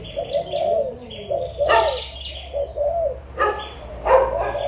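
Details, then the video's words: Adult Malaysian and Thai spotted doves, recorded in March 2022, give low mellow coos in short phrases, broken by loud sharp chirps from nearby birds. "cu gáy trưởng thành malaysia và thailand"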